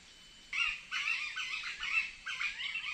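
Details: Red-whiskered bulbul singing: a run of loud, bright, warbled phrases with rapid bubbling notes, delivered in four bursts separated by brief pauses, over a quiet background.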